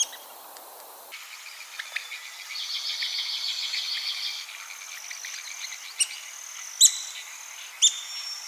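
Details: Red-cockaded woodpecker, a threatened bird of southeastern United States pine forests, giving sharp high chirps followed by a run of buzzy chattering notes, then scattered clicks and squeaks.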